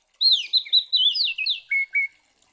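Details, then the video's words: Oriental magpie-robin delivering a provoking fighting song: a rapid string of loud slurred, rising and falling whistles ending in two level buzzy notes, on a clean quiet background. "Suara Burung KACER GACOR Ngeplong TARUNG Konslet ini Paling Ampuh Buat Pancingan Kacer Biar Emosi"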